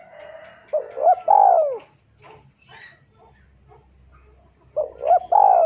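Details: Male spotted dove calling to a rival, a recording for luring: two soft, hooting cooing phrases, each made of brief clipped notes ending in a drawn-out falling coo, separated by faint scattered background sounds.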